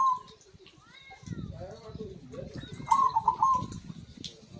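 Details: Zebra dove song meant to stimulate quiet birds: a brief coo at the start and one clear trilled phrase near the three-second mark, among softer harmonic calls and possible voices.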